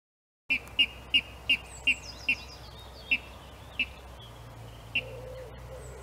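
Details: Water rail singing in April 2018: a series of sharp, high 'kip' notes, quick at first then slowing and spacing out; faint thin whistles and a low hum in the background.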